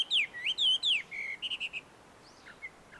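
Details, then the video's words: Chinese hwamei in the wild among shady trees at a Tenmangu shrine, Joso City, Ibaraki Prefecture, Japan: loud swooping whistles, then a few short level notes and three quick rounded pips, fading to soft distant notes. "ガビチョウの鳴き声鳴き声。suara merdu Poksai di alam liar!"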